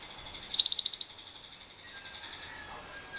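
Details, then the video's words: Lovebird ngekek lure for stirring other lovebirds into long trills, with wild birds: one strong half-second burst of rapid pulsed high chatter, then quieter background twittering and a final thin high whistle. "Pancingan JITU Lovebird Bisa Ngekek panjang bersama burung liar"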